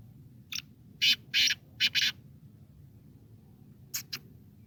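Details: Black francolin, known locally as kala teetar or Sindhi teetar, giving loud, harsh, rasping bursts, two close pairs then a softer double note after a gap, against a faint low hum.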